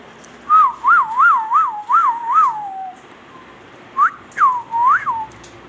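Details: Pet Indian ringneck parrot whistling a warbling phrase of six quick rising-and-falling loops that trail off downward. After a pause come three separate upward-swooping whistles.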